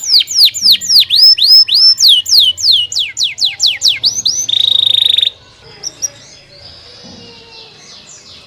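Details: Canary song opening with fast falling whistled sweeps, then a loud buzzy trill, followed by quieter scattered chirps and faint background noise.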